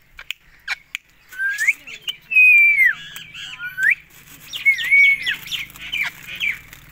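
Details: Rose-ringed parakeet from Pakistan screeching loudly: sliding, rising then falling shrieks in quick series, a long wavering screech around the middle, and more bent shrill calls toward the end over a faint low hum.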